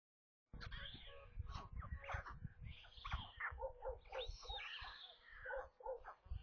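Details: White stork chicks in a nest near Kaluga, central Russia, at lunchtime feeding on 27 May, recorded by a nest camera; a dense jumble of wheezy, mewing calls rising and falling over a low thumping rumble.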